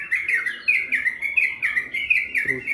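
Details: A yellow-vented bulbul in Bandung, March 2021, delivers a long, rapid, unbroken song of bubbly, chattering whistled notes rising and falling through a bright middle pitch, with nothing else heard.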